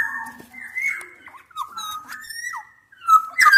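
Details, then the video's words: Combined calls of Javan and Sumbawa black-naped orioles, male and female, played as a challenge to a rival: a run of level fluty whistles, downward-sliding notes, and a loud harsh burst at the end. "kepodang gacor MENANTANG LAWAN"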